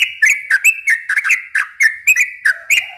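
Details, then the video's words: Yellow-vented bulbul in an energetic, long-running song meant to lure and stimulate young birds. Quick chirpy whistles repeat steadily over a sustained tone. Near the end, a fainter, lower drawn-out whistle joins in. "suara kicau trucukan gacor ropel panjang ini ahlinya buat pancingan trucuk bahan muda"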